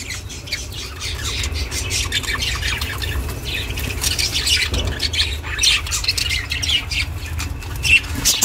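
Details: Domestic budgerigar chattering, recorded for lone budgies; a continuous stream of quick, high, scratchy chirps and warbling notes, growing busier toward the end, with faint low rumble beneath.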